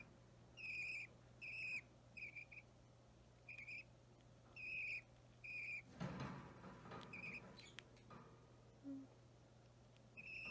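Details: Budgerigar chick near three weeks old, opaline or plain green, fidgeting during hand-feeding on 30 March 2017; clipped raspy begging notes in irregular bursts, interrupted by a rustling clatter midway, over a constant low hum indoors.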